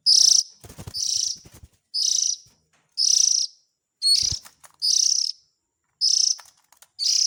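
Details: Oriental magpie-robin chick calls played as a lure to draw in the parent birds: seven harsh, buzzy rasps, each about half a second long, repeated roughly once a second, with a few sharp clicks between them.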